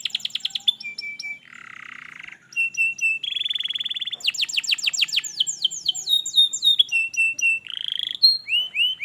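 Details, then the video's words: Canary singing in varied tours, used as playback to get a lazy canary singing: fast repeated chips, a low buzzy roll, a high trill, rapid downslurred sweeps and short whistled phrases in quick succession. "cobak putar !!! kenarimu pasti ikut gacor || masteran kenari malas bunyi"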